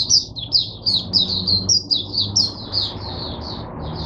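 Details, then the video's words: High, sweet twittering from a caged oriental white-eye used to teach song to other white-eyes, 22 January 2022: quick slurred notes strung together, roughly two or three per second, without pause. "Mata Puteh Diva Sunday buka sing teacher bird for my other mata putehs"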